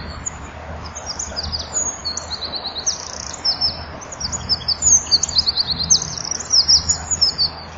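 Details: Eurasian wren singing in evening twilight at 17:33, 23 January 2014, seen at a breeding-wall camera with wings fluttering, a second wren perhaps perched behind; thin, high trills and quick note strings, a faint low hum underneath.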